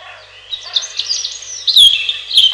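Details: Robin song with a continuous high, thin, twittering warble that builds into louder sweeping, slurred notes toward the end.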